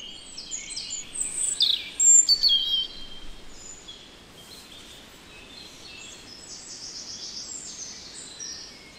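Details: European robin in the Netherlands delivering a phrase of high, sibilant, varied notes, loudest around the middle, then continuing with softer scattered high notes over steady outdoor background noise.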